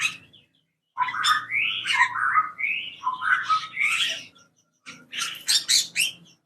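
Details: Cucak kopi birds in an aviary, hungry in the morning after their food ran out; busy, chattering, warbled calls in rising and falling bursts, a brief pause, then a final flurry of sharp notes.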